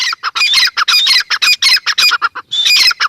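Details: Teetar, the grey francolin: a dense, rapid series of shrill, squawky notes, close together and loud throughout, with a brief gap just before the final burst.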